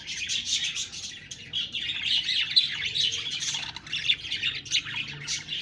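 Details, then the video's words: Budgerigars chirping and squawking softly, bursts of high chatter rising and falling with short scratchy notes. "Budgies Birds talking sound Birds chirping sounds"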